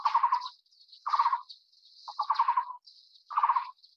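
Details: Taiwan barbet (Psilopogon nuchalis), a Taiwan endemic of broadleaf forest, at the nest while feeding a chick, gives short, low, hollow rattling bursts about once a second over a steady high-pitched insect-like hiss.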